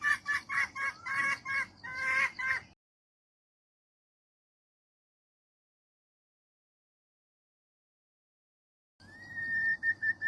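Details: Female jungle fowl calling for a mate: a quick run of harsh, clucking notes for under three seconds, then a long silence, then a steady drawn-out note with a few clucks at the very end.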